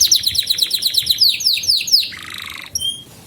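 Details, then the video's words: Canary singing as a lure for young birds learning song: quick series of descending whistled slurs, repeated several times a second, then a lower buzzy roll and a few short clear whistles at the end. "Kenari GACOR Masteran Burung Kenari PAUD Belajar Bunyi dan Pancingan Kenari Macet"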